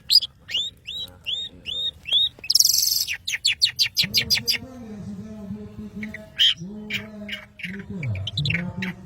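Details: Madura long-tailed shrike singing: a series of six evenly repeated hooked whistles, a harsh burst, then rapid ticking notes, over a lower continuous warbling sound in the second half.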